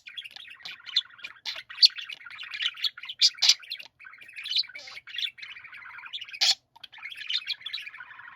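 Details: A group of budgerigars singing together, with continuous rippling warbles broken by sharp high chirps and clicks. A few loud squeaky notes stand out, including one near the end.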